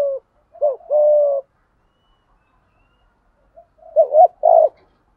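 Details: Spotted dove coo used to excite decoy birds. A short note and a wavering note run into a long level buzzy coo, then after a pause comes a softer double note and another coo.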